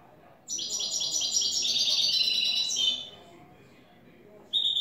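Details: European goldfinch, new bird, singing clean "el tres vueltas" song: one long, rich, fast twittering trill lasting over two seconds, shifting slightly lower near its end, then a pause and a fresh high note.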